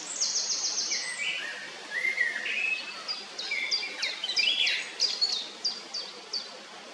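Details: Eurasian wren at its nest in Heerensbos on 22 May 2019: quick series of high, sharp descending ticks, then lower warbled chirps, followed by more spaced ticking notes over a faint background hiss.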